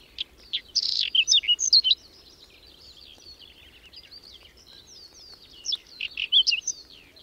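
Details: Whinchat singing in a sudden May snowstorm with wind and cold, on the outskirts of Domzheritsy in the Berezinsky Biosphere Reserve. Two bursts of scratchy, varied high chirps and short whistles are separated by a few seconds of quieter twittering.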